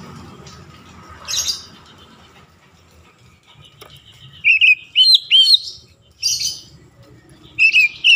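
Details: Oriental magpie-robin song played to provoke other magpie-robins into singing. After a few seconds of faint background noise and a squawk, it gives bright, clear, whistled phrases with quick upturned notes, repeated in short bursts.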